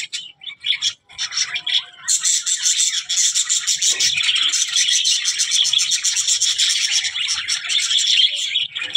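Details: Budgerigar giving soft, sparse chirps for about two seconds, then breaking into a continuous, busy stream of high, grating warbles and clicks that runs to the end.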